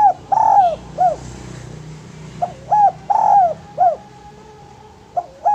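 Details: Spotted dove song, used as a lure and training master for other doves: soft cooing phrases of a short coo, a long swelling coo and a dropping coo, repeated about every two seconds over a low background hum.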